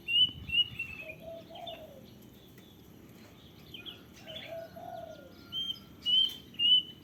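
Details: Wild plaintive cuckoo giving short, clear whistled notes near the start and a louder run of three sharp whistles at the end, with a lower, softer slurred call from another bird in the middle and steady background hiss.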